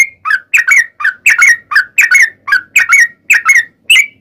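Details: Sooty-headed bulbul lure song in rapid 'ropel' style: clipped, bubbly double and triple notes, slightly harsh, delivered in quick bursts with short gaps.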